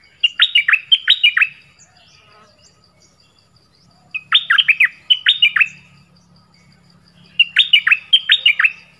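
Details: Nok dok taeng bird delivering 'pleng berm' style song for young birds to copy: three bursts of fast, liquid whistled notes, each about a second and a half long, separated by short pauses.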